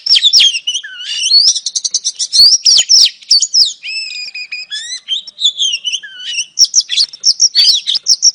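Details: Female oriental magpie-robin calling to lure a male, delivering a continuous stream of quick repeated chirps, trills and sliding whistles in varied phrases, close and loud.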